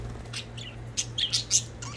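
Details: Pet budgerigars chirping while playing: a few short, sharp, high chirps in a quick cluster near the end, over a low steady background hum.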